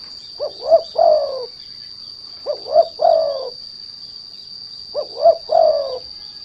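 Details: Spotted dove call used to lure and provoke other doves to sing: three evenly spaced phrases of two brief coos and a longer downward-sliding coo, roughly every 2.3 seconds, a shrill steady whine in the background.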